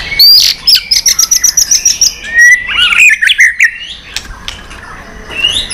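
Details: White-rumped shama, tail-flicking and worked up, competition singing in a long multi-voiced forest-style song: a rapid series of repeated high whistled notes, then lower slurred, warbling phrases and scattered chips.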